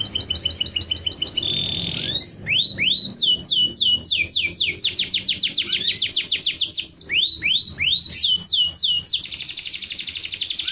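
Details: Canary mating song meant to raise breeding drive and speed egg-laying: short rapid trills, then a long series of repeated descending whistles at a steady pace, closing with a dense, buzzy high trill, with light low hum beneath.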